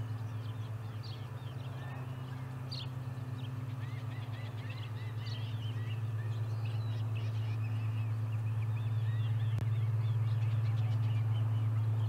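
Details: Osprey at its Charlo nest, 30 July 2020, during the day's third fish delivery: scattered thin, high chirped calls, loosest and faintest toward the end, under a constant deep hum and one sharp click.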